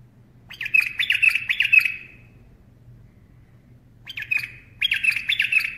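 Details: Bulbul singing while perched on a person's hand: two bursts of harsh, scratchy, chattering notes, the first lasting about a second and a half, the second after a long pause, over a faint low indoor hum.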